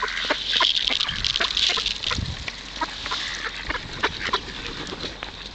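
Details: Hungry ducks crowd in to be fed at the Kirchsee in Preetz, quacking rapidly and unevenly in a loud cluster, with low human voice sounds in the first seconds.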